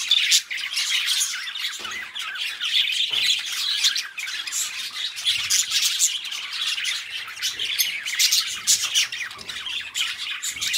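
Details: Two pet budgerigars keep up a long, unbroken stream of chattering warble: gritty, buzzy notes overlapped by quick tweets and occasional louder squawks.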